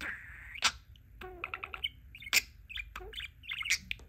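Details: Male pet budgie, very talkative, who likes to ask "whatcha doin'?", babbling in fast warbled chatter of squeaks, clicks and buzzy syllables with brief pauses.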